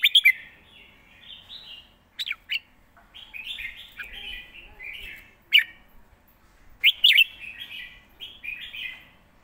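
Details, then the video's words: Live song of a caged red-whiskered bulbul in fast, well-phrased style. Rolling high warbles alternate with sudden sharp chips, and the song carries through several phrases with brief gaps. "สด ริก"สับไว สำนวนดี#เสียงนกกรงหัวจุก"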